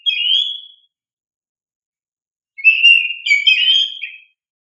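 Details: Caged oriental magpie-robin (kacer) song used to stimulate young birds: a clear whistled note, a long pause, then a louder phrase of warbling whistles wavering between mid and high pitch, against a silent background.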